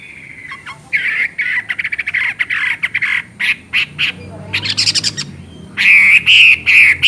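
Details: Chinese hwamei singing energetically: a fast series of short repeated notes, then rapid buzzy bursts, ending with loud clear whistled phrases; a faint low hum in the background.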